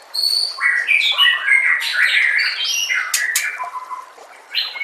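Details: Varied white-rumped shama song meant for training captive birds, a dense stream of whistled notes jumping between pitches, with a few sharp high clicks near the end.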